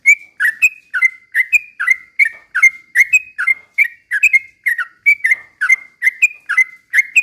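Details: Sooty-headed bulbul singing as a lure for other birds, a fast unbroken chain of liquid chirps, each dipping then flattening into a bright short whistle, roughly three per second throughout.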